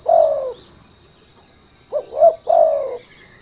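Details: Spotted dove (derkuku) cooing as a lure for untrained turtledoves: a long hoarse note, then a short quick pair and a drawn-out falling coo, with a constant thin high whine behind.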